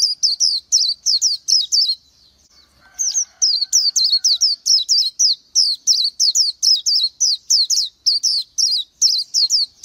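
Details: An Oriental white-eye sings a sustained stream of high, thin, slurred chirps at a fast, steady pace, pausing once briefly before continuing.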